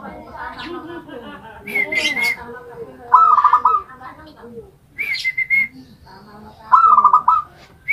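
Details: A zebra dove kept in a cage made from a homemade rice container sings. Staccato trilled cooing phrases alternate with clear, high whistled notes, repeated about every four seconds. Voices are faintly heard behind.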